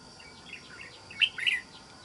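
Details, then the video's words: Red-whiskered bulbul, a wild-caught trapping bird with a fine island-forest voice, gives soft chirps and then one bright, sharp warbled phrase of two or three quick notes against a faint hiss. "Bẫy Chào Mào. Mau Mỏ . Bung Xoè.Gốc Mào Cao Dày . Giọng Rừng Đảo Tốt (Bổi 41)"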